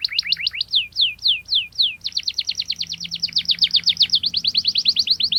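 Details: Canary in sharp rolling song aimed at pressing rivals and teaching young canaries. Fast trilled notes, then a slow series of falling whistles, then a long, rapid, even trill of high chips.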